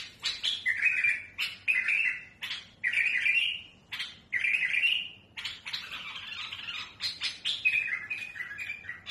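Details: Tamed bulbul with a smooth, harsh-toned song for schooling young birds, delivering clear whistled phrases separated by sharp, rasping notes in a busy, continuous sequence.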